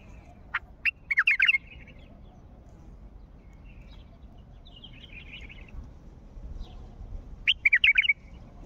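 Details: Wild Mandalawi bulbul repeating its call twice: each a loud quick cluster of bubbling whistled notes led by a sharp upslur, separated by softer warbled twittering in a quiet setting.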